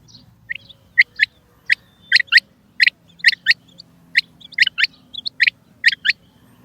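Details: Calling female rain quail giving crisp paired notes, each couplet short and bright, repeated steadily at roughly one-second intervals over a soft low background hum.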